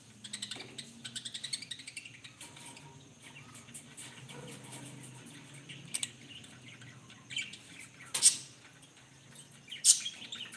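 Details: A rainbow-coloured budgerigar chirps and chatters in quick, high, scratchy bursts, with a few sharp squawks.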